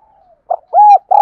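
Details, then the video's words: Spotted dove lure bird giving clean, close coos: a faint trailing note, a short clipped coo, then a fuller arched coo, with another starting at the end. "Tiếng Chim Cu Gáy Thúc Gù Gáy Gọi Mới Nhất || Chim Cu Gáy Mồi"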